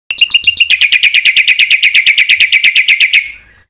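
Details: Black-winged myna in lively full song, used as a lure to provoke other mynas into singing: a fast run of harsh, ringing chattered notes, about three per second, steady for three seconds before fading.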